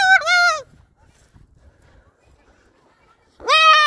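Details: Pet Moluccan cockatoo, talkative and excited on a walk to the park before spring greening: two loud, arched, harmonic calls, one at the start and one at the end, separated by about three seconds of near silence.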